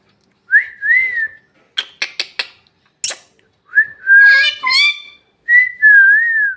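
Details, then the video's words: Talking parrot speaking Bhojpuri: clear whistled notes near the same pitch, a quick run of three or four harsh clicks, then a twisting, gliding squawk-like phrase and more held whistles, all in a quiet room. "Bhojpuri talking parrot"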